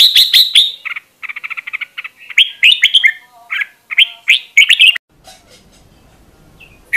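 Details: Caged red-whiskered bulbul used to train other birds' voices, giving rapid stuttering notes then loud rising whistled phrases, ending with a faint low rumble.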